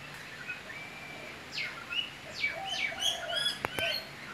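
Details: Eastern whipbird, one of a pair that comes daily to feed, calling on lookout while the other feeds: thin whistled notes and quick downslurred chirps ending in two sharp, cracking snaps; faint background hiss.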